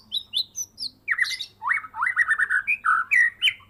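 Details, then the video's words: Medan white-rumped shama in a cage, hand-reared from a fledgling, singing loud gacor full isian after its first moult: high whistled notes give way to a burst of rapid, buzzy rising and falling slurs, nearly continuous. "Murai medan gacoor full isian"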